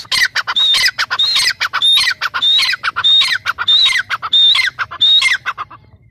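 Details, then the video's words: Grey francolin, known as teetar, delivering an unbroken run of loud, raspy calls, each carrying a short high whistle. The notes repeat about every half second for the whole six seconds. "Teetar ki awaaz | तीतर की आवाज | তিতির আওয়াজ | El sonido de una perdiz | ਇੱਕ ਤਿੱਤਰ ਦੀ ਆਵਾਜ਼"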